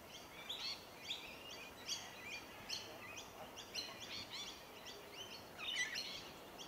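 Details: Rainbow lorikeets, Trichoglossus moluccanus, eating tree violet berries in suburban Melbourne in January: a continuous run of rasping, shrill squawks, roughly one or two per second, with quiet ambient noise beneath.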